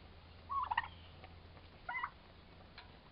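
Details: A pair of four-month-old turkey toms fighting, giving a quick rattling gobble, a shorter second burst about a second later, and a faint clipped note near the end.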